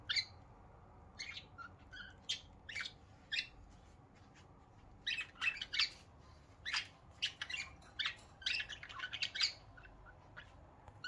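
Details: Several pet budgies indoors in the morning, their happy-sounding calls coming as a steady run of sharp high chirps and brief warbles. The calls cluster more densely toward the end, over a faint room hiss.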